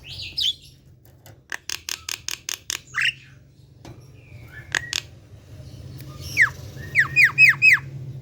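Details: Javan pied starling (jalak kebo) kept at home, singing mixed phrases: sharp clicking notes in a quick series, a rising squeal, scattered ticks, then four rapid curved whistles dropping in pitch, over a low steady hum.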